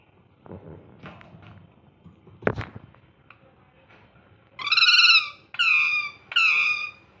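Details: Faint rustling and a sharp click, then a pet ringneck parrot having fun bursts into three loud, raspy, harmonic screeches, the first longest, each falling slightly in pitch.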